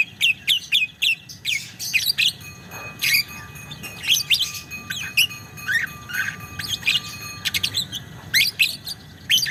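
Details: Chattering lovebird giving an extended ngekek song: irregular bursts of high, scratchy chirps and squeaks with brief pauses between phrases.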